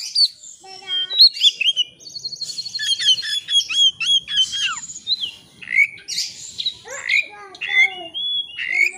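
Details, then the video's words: Oriental magpie-robin in rival-seeking song serving as a lure for full repertoire: rapid mix of high chirps, rattling trills and descending slurred whistles, continuous and energetic throughout. "kacer ngeplay cari lawan. pancingan kacer agar bongkar isian.!!!"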